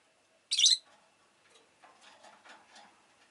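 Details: Pet rosy-faced lovebird making one loud, harsh, high chirp, followed by faint scratchy rustling and soft clicking sounds.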